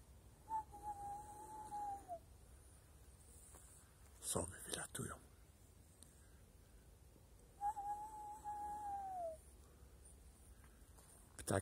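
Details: An owl calling at 18:55 on a cool (+7°C) evening, 19 March 2020, after other birds fell silent, gives two long, steady, mid-pitched hoots that fall away at the end, about seven seconds apart, with knocks and faint talk between.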